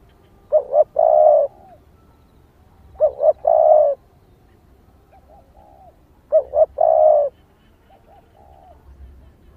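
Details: A female spotted dove calls to excite males, giving three evenly spaced phrases roughly every three seconds, each two short low hoots followed by a longer rich coo, with softer trailing notes after.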